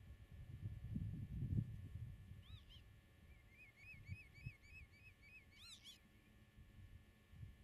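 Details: Common redshank near its nest in meadow farmland, camera 8 m off: a pair of arched calls, then a rapid string of short piping notes and a final loud ringing call, with low wind noise.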